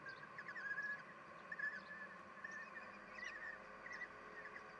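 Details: Kestrel nest during a feeding visit by the female, early June 2021, with seven young: a few thin, high notes in short clusters, then sparser chirps, against a steady background drone.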